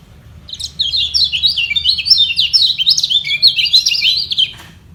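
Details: White-eye called kecial kuning, singing to defend its position against rivals below that will not give in; a rapid, dense chattering twitter of high notes lasts about four seconds and ends abruptly.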